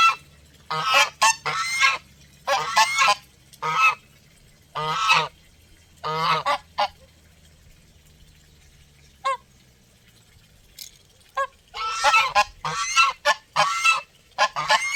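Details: Close geese giving strong resonant honks in irregular clusters, a busy run at the start, a near-quiet stretch in the middle, then another dense volley near the end.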